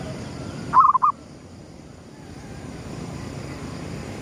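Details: Gedong mengo zebra dove, a perkutut lure bird, cooing at sunrise: a single short, gurgling phrase of mellow notes near the start, then only low background rumble.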